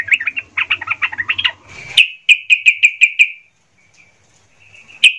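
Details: Sooty-headed bulbul in agitated gacor form, used to provoke other bulbuls and raise their spirit: quick bubbling chattering notes, then a brief buzzy burst and a run of five or six clear, evenly spaced whistled notes, then quiet and one last note.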